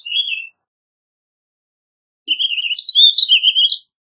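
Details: Warbling vireo, a small North American songbird, giving a rapid warbled phrase of rolling notes after a brief opening chirp, with a long silent gap between.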